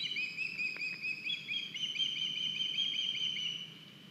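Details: At an osprey nest in Estonia on 9 August 2021, as a youngster lands with a big fish: long, sustained strings of high, slightly wavering whistled chirps, one voice overlapping another, fading after three and a half seconds.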